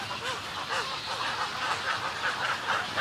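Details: Short, buzzy, nasal squawks from Snowy egrets giving colony and greeting calls, repeated about twice a second over the rough murmur of the colony.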